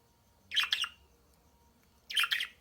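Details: Budgerigars in a loud chorus give two short, harsh chattering squawks about one and a half seconds apart, each a quick cluster of scratchy notes over a quiet background.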